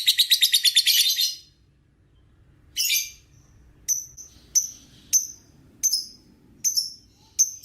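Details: Lovebird ngekek trill from a training recording. A fast shrill chattering burst stops, then sharp separate high chirps follow, spaced roughly every half to one second.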